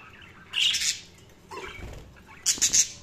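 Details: Budgies chirping in three separate bursts of harsh, buzzy chatter, the last a quick triple squawk, with quiet gaps between.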